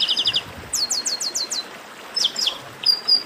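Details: 'Baderna' of the Chestnut-capped blackbird (garibaldi): a quick stutter of high notes, then five clear downslurred whistles in steady succession, followed by scattered chips and a thin high whistle.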